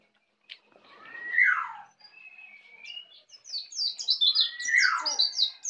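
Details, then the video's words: Two bright falling whistles frame a steady run of rapid, high-pitched chirping notes from a young Bali white-eye just learning the ngeplong song. "Pleci Bali baru Belajar ngeplong"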